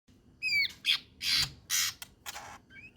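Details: White-rumped shama in the full-emotion trotolan jahad style of song: a quick whistled slur, then a run of harsh, loud, rasping bursts, ending with faint short whistles.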